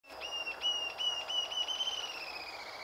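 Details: A male Rufous-tailed jacamar (Galbula ruficauda) sings a thin, high whistled series of quick, slightly wavering notes sliding gently lower toward the end, recorded in cerradão woodland at Bauru, São Paulo, Brazil; faint natural background.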